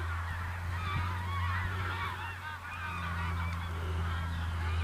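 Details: A rowdy flock of Canada geese, gathering before winter migration, honks continuously on a sunny day, with many overlapping nasal calls tumbling over one another above a steady low rumble of wind.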